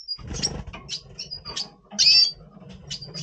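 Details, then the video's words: Pre-breeding red siskin, Double Pastel mutation, November 2023; brief twittering with thin high whistles, a loud buzzy wheezing note in the middle, and low rustling throughout. "Red Siskin 🦩Double Pastell 🔥FeuerZeisig before Breeding - Voice Brutstimmung"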